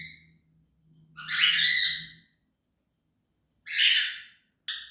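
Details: Cockatiel calling: two harsh, raspy squawks about two seconds apart, each a broad harmonic burst, followed by a brief clipped note; faint low hum at the start.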